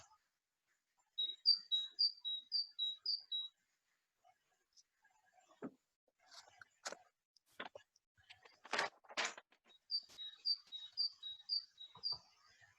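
A great tit sings two bursts of bright, high two-note 'teacher-teacher' phrases, five or six quick repeats each, separated by clicks and bursts of broadband noise.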